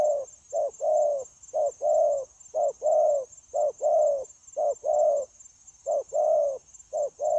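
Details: Cooing without a break, a decoy spotted dove used in trapping, 9 January 2024, repeats short-long pairs of deep, rounded coos roughly every second, over a steady thin high-pitched tone.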